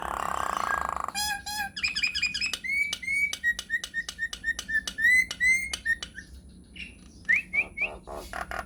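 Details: Nias hill myna, lure song to make other mynas reply: a harsh buzzy opening, quick clicks, then a long string of short level whistles repeated about twice a second, ending with rising squeaks.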